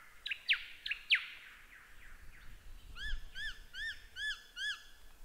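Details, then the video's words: Lyrebird song for cage-bird training: loud sharp downward-swept whistles, then a series of arched chiming notes repeated about every half second, over steady background hiss. "Masteran Burung Lyrebird"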